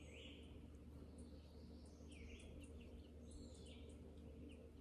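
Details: Red-eyed Vireo (so the listener believes), recorded from a deck on 3 July, sings short, whistled, robin-like phrases, several in quick succession with brief pauses, over a steady low rumble.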